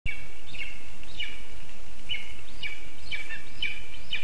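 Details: Hungry lesser spotted eagle chick begging in its spruce nest, Zemgale, Latvia, 19 August 2024: high, thin, slightly downslurred calls repeated about twice a second over steady background hiss.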